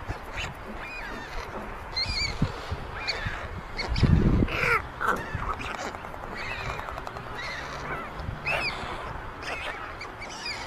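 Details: White stork nestlings in Ságvár, Hungary, on May 22, 2024, with older siblings stealing food from the youngest chick; short nasal wavering calls repeat several times a second, with a loud low thump near the middle.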